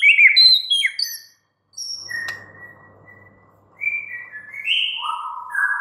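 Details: Captive white-rumped shama: sharp high whistles and short descending notes, a pause with a faint steady tone, then flat whistled phrases stepping up and down.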